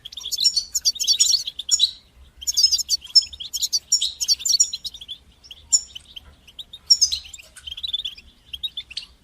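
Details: European goldfinch sings batbata and sastasa sequences to spur young birds' singing: rapid, jingling high twitters in long bursts, later thinning into spaced trilled notes.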